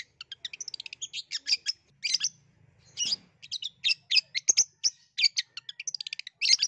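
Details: Lively long-tailed shrike song meant to coax a quiet shrike into singing: a fast stream of high scratchy chirps and short whistles, with tight rapid-fire runs broken by a few louder harsh bursts.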